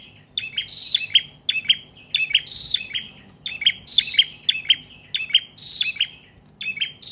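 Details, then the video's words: Prenjak trotol or paot, a prinia, in a long singing run used as a lure and for training cage birds: rapid, evenly spaced high chirps with a drawn-out whistled note between, steady throughout. "Prenjak Trotol/Paot Gacor Panjang Cocok Buat Pancingan/Masteran Burung Anda"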